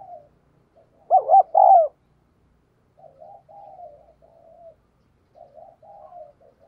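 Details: Decoy spotted dove cooing to lure wild birds; a single loud coo of two short notes and a longer slurred note, followed by several soft, low murmured coo runs.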